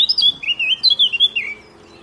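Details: Eurasian blackcap (Sylvia atricapilla) sings a rapid, fluty warble of rich whistled notes, rising and falling for about a second and a half before fading.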